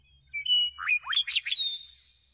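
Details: Meadowlark singing a flute-like phrase: sustained clear whistles opening into a quick, bubbling cascade of rising and falling warbles, closing with a long thin whistle.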